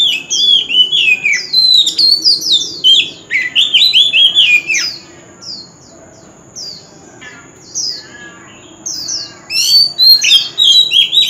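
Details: Singing contest of a male White-rumped shama with a true forest voice: loud, rich whistled warbles and falling slurs in dense bursts, a quieter gap of soft high chips midway, and a constant high whine behind.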